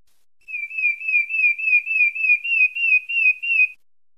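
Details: Pale-breasted thrush from Santa Fé, Bahia, giving a fast run of wavering whistled notes, about three per second, all at one steady pitch for roughly three seconds, with a quiet background.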